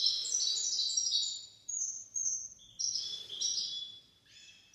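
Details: Goldfinch-canary hybrid giving a tutor song for goldfinches and canaries. High, sweet warbling runs for a second and a half, followed by short whistled notes and a few clipped twittering bursts with pauses between them.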